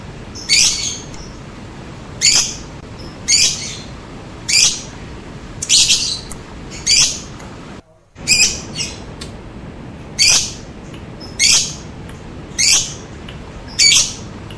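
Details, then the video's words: Lovebird lure call for drawing replies from other lovebirds: harsh, piercing squawks, each short and broad, spaced roughly every second and a half, with quiet hiss between them and one brief silent gap. "Suara Pancingan Lovebird Ngetik, Ngekek, Tarikan Panjang Bikin Lovebird Anda Ikutan Nyaut Seketika"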